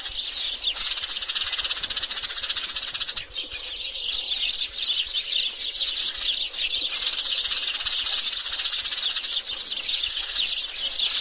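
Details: Sparrows in a flock, both sexes, giving a thin, high, continuous twitter of many overlapping chirps, with a steady faint hiss and no low sounds.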